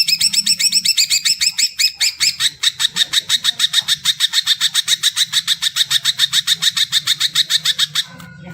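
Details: Greater green leafbird singing, used to prompt silent birds into voice: looping whistled notes give way to a long, fast, even run of sharp repeated chips lasting about eight seconds, with a low background hum.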